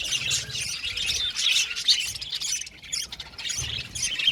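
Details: Aviary flock of budgerigars producing a constant high twittering warble, punctuated by short squeaky notes and a few clearer whistled tones.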